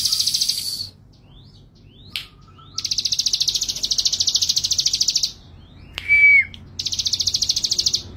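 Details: A bold male ciblek gunung sings long, steady streams of rapid, high buzzy pulses, one lasting over two seconds. A clear, level whistled note breaks in between bursts.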